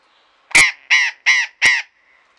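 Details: Four loud, coarse squawks from a burrowing parrot, evenly spaced roughly every 0.35 seconds; recorded in a garden at Pelhřimov, Czech Republic, on 16 February 2018, a Friday afternoon.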